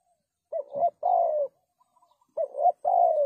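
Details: Spotted dove call for luring doves into traps: two low hollow phrases, each a short wavering coo followed by a longer coo that falls slightly at the end, in otherwise quiet surroundings.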